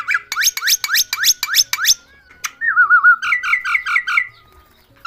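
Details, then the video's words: Talking myna: a string of sharp upswept squeaks, then a lower warbling whistle and a run of bright bubbling notes that trail off. "শালিক পাখি কথা বলে"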